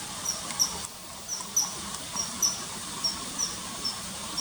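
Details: Common kingfisher near a river in early September 2020, giving short shrill whistles about three times a second, some notes paired close together, against a constant background hiss.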